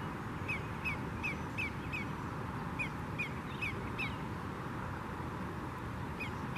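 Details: Greater yellowlegs (Tringa melanoleuca) alarm call: ringing, down-slurred whistled tew-tew-tew notes in quick runs of four or five, over a steady roar of wind or water.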